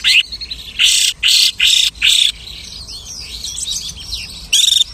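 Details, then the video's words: A lark copying other birds gives four harsh buzzy bursts in quick succession, then soft twittering and one last clear whistle. "The lark imitates the singing of hundreds of birds."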